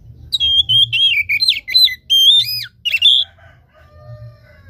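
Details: Oriental magpie-robin (kacer) song used as a lure to stir a lazy, reluctant caged bird lacking breeding drive into singing: a rapid run of loud, clear whistled notes with bending, swooping phrases over three seconds, then quiet with faint background hum.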